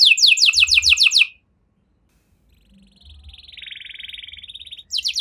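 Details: Canary with a cengkok mewah (luxurious style) song, used to trigger singing in other canaries; a brief rapid high trill of descending sweeps, a pause, a soft buzzy murmur, then another quick trill burst.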